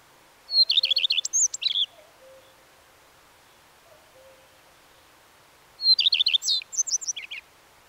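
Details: Two full common redstart songs several seconds apart, each a high whistle leading into rapid repeated notes and a varied, scratchy twittering end, with faint low whistled notes in the pauses.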